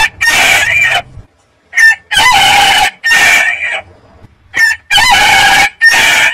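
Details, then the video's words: Rooster crowing in a series of short, harsh, high-pitched bursts, each about a second long, separated by silent gaps, with a slight ringing overtone. "Rooster Crowing"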